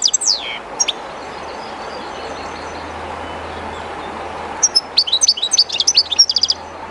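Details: European goldfinch, a kept bird placed beside the Jerte River, somewhat shy there; a brief sweeping note opens, then a long stretch of river rush before a quick burst of high twittering notes near the end.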